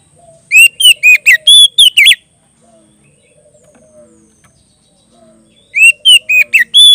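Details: Kacer, the Oriental magpie-robin, in full 'gacor ngeplong' song calling out to a rival: a burst of about seven piercing whistled notes, a pause of roughly three seconds with faint soft chirps, then another similar whistled burst.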